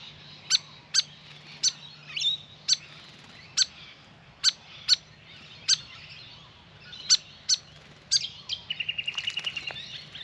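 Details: Grey fantail at a birdbath delivering a run of about fourteen sharp, high clicking chips at an irregular pace, ending as a fast rattling trill from another bird comes in, amid light background chatter.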